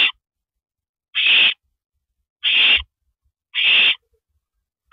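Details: Nest-site owl at a rabbit delivery on a porch before dawn, 7 May 2012, 3:52 AM. Rasping hiss-screeches repeat at steady intervals of just over a second, with silent gaps and a faint thump.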